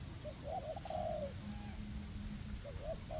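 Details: Decoy spotted doves cooing in a forest, used to lure wild doves into a trap; one full phrase of quick notes and a long coo, a pause with a faint whistle, then the next phrase starting, over wind.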